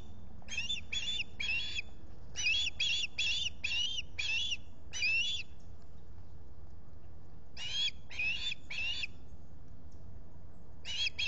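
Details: July recording from a solar camera at the Salt Point osprey nest, Finger Lakes, a visitor at the nest: bursts of rapid, piercing whistled chirps in groups of three to six, separated by short pauses.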